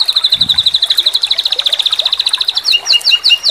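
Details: Sambung susun tutor song from a white-rumped shama with tembakan phrasing: a fast high trill gliding slightly downward, then a switch to loud, spaced, upslurred whistled notes, with a short low thump near the start.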